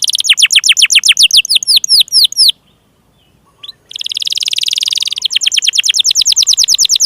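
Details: Canary singing to lure reluctant and young canaries into song, with a run of swept whistled notes, a brief pause holding a single chip, then a fast buzzy trill breaking into rapid rolling notes.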